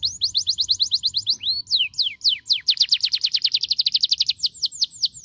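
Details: Domestic canary song practised at home to stimulate singing: an even run of quick falling notes, a brief pause with two looping whistles, then a long rapid trill of bright clipped notes and a few final sweeps.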